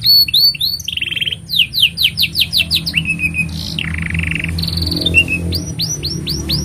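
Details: Canary song for tutoring young canaries: fast rising slurs and buzzy rolls, a quick run of chirps, harsh rasps, then loud upswept whistles; low murmuring background sound beneath the song.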